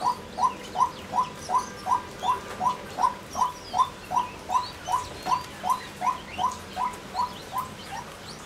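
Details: Female white-breasted waterhen giving a rapid series of identical clipped notes, evenly spaced at nearly three per second, with a quiet background hum.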